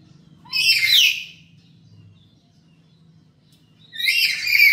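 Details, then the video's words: Harsh, grating screeches from a black-capped lory kept at home, used as a lure recording: a drawn-out rough burst, a pause of about three seconds, then another burst, with faint background hum. "Pancingan Burung Nuri Kepala Hitam di rumah"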